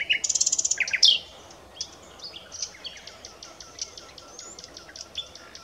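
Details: Song of the common nightingale: a rapid loud rattle and a sharp slurred note, then a long series of soft, high, clipped notes.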